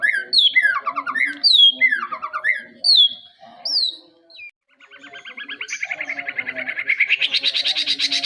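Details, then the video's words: Young white-rumped shama, a juvenile already singing well: loud whistled phrases with falling slurred notes and high upslurs, then a rapid rising series of repeated notes speeding up toward the end. "murai batu masih anakan udah bisa jadi master"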